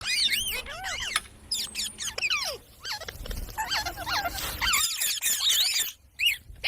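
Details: Talking parrot mimicking human speech, a rapid run of harmonic voice-like syllables with swooping, rising and falling pitch, bursts of varying loudness across several seconds, a faint low hum underneath.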